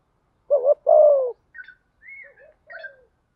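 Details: Spotted dove calls for training and luring, male and female: one low phrase of a wavering double coo and a long falling coo, followed by higher short chirps and a quieter soft coo.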